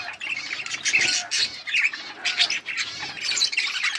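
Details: Budgerigars chirping and singing: rapid, busy warble of scratchy squawks and bright chirps in quick bursts, several overlapping voices with no pause.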